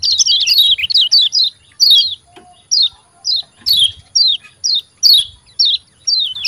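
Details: White-eye 'ciak ciak' calls, known locally as kecial kuning, used to coax lazy caged birds into singing. Sharp, high descending chirps open in a quick cluster, then repeat about once a second in twos and threes.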